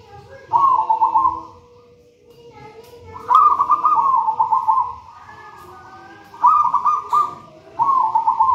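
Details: Zebra dove from a raja banana plant nest, a local wild bird in full voice, repeating warbled, bubbling coo phrases. Some run longer than a second, with short breaks, over faint whistled calls and a low rumble.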